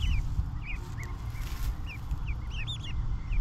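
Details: Feeding ducklings on grass utter scattered, thin, curved peeps, several birds overlapping at times, against a steady low-pitched rumble and faint rustling.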